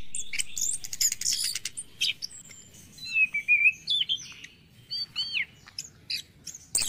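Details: Varied morning song of an orange-headed thrush, used to revive stressed, quiet caged birds: a buzzy high trill opening, then a series of wavering and downslurred whistles with scattered sharp chirps.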